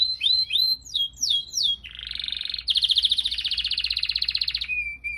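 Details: Canary song used to train other birds: several looping swept whistles, then a fast, loud rolling trill of rapidly repeated notes lasting almost three seconds.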